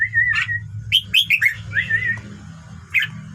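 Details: Red-whiskered bulbul singing to stir other birds into song: short wavering whistled phrases and quick upslurred notes in bursts, then a brief pause and one final note, over a steady low humming background.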